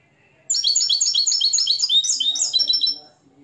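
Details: Nest-raised Moroccan European goldfinch, hand-reared and tutored in the limpio song style: a fast, bright run of high twittering, buzzy notes rising and falling for about two and a half seconds before stopping.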